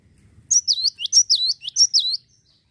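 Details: A Java sparrow, recorded as a lure to encourage other birds to sing, gives a quick string of about seven high, sliding chirps, each dipping and rising, in under two seconds, after a faint low rumble.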